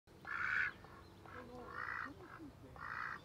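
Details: Domestic duck giving three drawn-out, nasal, honking calls, each lasting about half a second, spaced roughly a second apart, with faint background noise.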